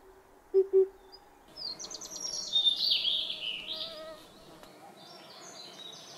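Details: Amur region, Russian Far East, Khingan State Nature Reserve: a blue-and-white flycatcher delivers a long, high, fluid warbled phrase. It follows two low hoots of an oriental cuckoo, and quieter high notes trail off.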